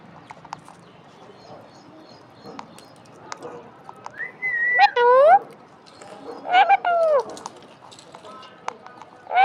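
An Alexandrine parakeet gives loud, tonal, wavering whistles in two bursts about two seconds apart, some rising then dropping; light clicks and soft room noise between.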